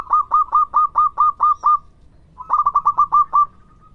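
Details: Strongly singing local zebra dove, recorded as bait to draw replies; two phrases of rhythmic, throaty cooing pulses, the second starting with a fast stutter and ending in a drawn-out fading hum.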